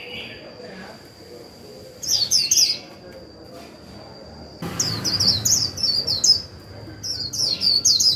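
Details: Lure white-eye singing 'líu' to stimulate wild white-eyes: short bursts of high, rapid, falling chirps, a brief rustling noise midway, then more twittering phrases.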